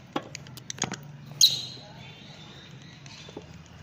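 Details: Fischer's lovebird making one sharp, high squealing chirp, preceded by a series of dry clicks and taps, then a faint drawn-out whistle fading away.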